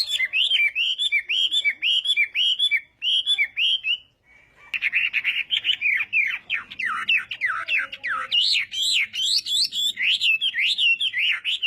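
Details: A Chinese hwamei sings its morning fighting song for voice practice, starting with fast repeated high whistles, pausing briefly, then pouring out a dense, varied warble of slurred, swooping notes.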